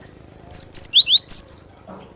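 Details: Cinereous tit (glatik batu) in lively song, kept as a tutor bird for training other songbirds: a short burst of five loud, high, wavy whistled notes alternating between two pitches, delivered quickly in about one second, over a quiet background.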